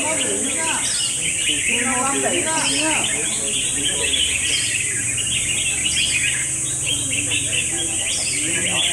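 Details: Red-whiskered bulbul singing during a singing battle. Bursts of short, warbled notes rise and fall in quick phrases. The chatter of other birds overlaps it, and a steady high hiss runs throughout.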